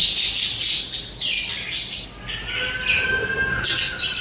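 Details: Budgerigars chattering: loud high scratchy chirps at first, then softer warbling twitters with a thin whistled note, ending in another bright burst of chirps.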